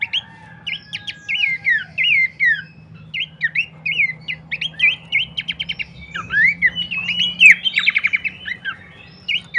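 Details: Horsfield's babbler song used as a lure to get birds singing: crisp, repeated whistled chirps and short trills in quick succession, growing busier toward the end, with a faint low hum.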